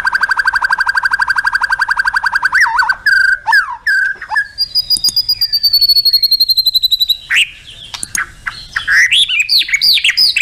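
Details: Contest-style shama song (tembakan) with full fill-in phrases (isian): a fast, steady trill of repeated notes, then varied high whistles, slurred swoops and chattering flourishes with brief pauses between them.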